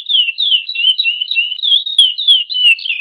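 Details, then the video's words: Chestnut-bellied seed finch (curió) singing the Praia song style: an unbroken run of clear, slurred whistled notes, each sliding downward, strung together at about three per second with no other sounds. "Canto Curi Oryzoborus angolensis Canto Praia"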